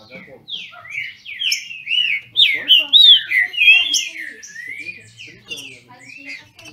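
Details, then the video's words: Trinca-ferro (Brazilian thrush) from a registered Brazilian breeder singing in a dispute: rising then falling whistled phrases building to loud rapid notes, then tapering to softer slurs. "Trinca ferro disputando!!!"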